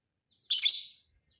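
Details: ['Lovebird of the fighter type, kept to tutor other birds, gives a single loud, shrill, rasping chirp burst lasting about half a second, with faint high chirps before and after.']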